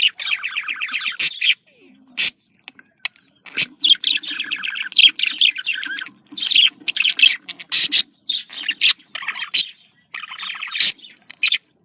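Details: Caged budgerigars chattering as a breeding stimulus, with long runs of fast rattling trills and buzzy chirps punctuated by shrill squawks, a faint hum in the background.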